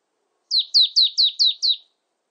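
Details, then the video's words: In a 2020 recording, a Marsh tit utters six rapid, loud downslurred whistles, regularly spaced about a quarter second apart, ringing clearly with nothing else audible. "쇠박새, 여러번 듣기, 곤충소리, 새소리"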